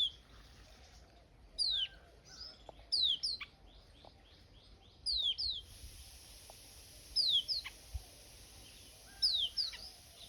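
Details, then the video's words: Birds chirping on a peaceful summer morning in a village after the wheat harvest: short, sharp descending high chirps in scattered bursts every second or two over a quiet rural background. "After the wheat harvest, a peaceful summer morning with birds chirping"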